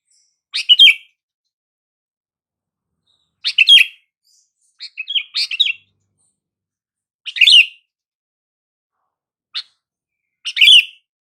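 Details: Sooty-headed bulbul calls meant to make silent bulbuls respond: short bright chirped phrases with a wavering, slightly falling note, given about every two to three seconds, six bursts in all, on a silent background.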